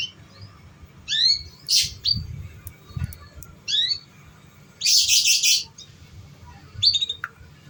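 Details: Canary training lure for young birds: high rising chirps alternating with harsh buzzy bursts, one long rasping buzz near the middle, then a final sharp chirp.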